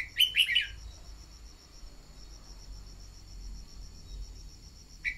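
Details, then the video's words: Red-whiskered bulbul decoy song, used to spur newly caught birds into singing: one short, bright warbled phrase at the start, a fragment at the end, and a steady high insect drone throughout. "Luyện giọng chào mào mồi-kích bổi mau hót"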